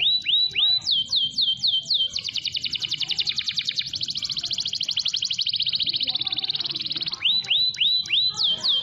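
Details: Prolific canary song used for prompting other canaries: looping whistled swoops, then a long fast buzzy trill of about five seconds, ending with more swooping whistles.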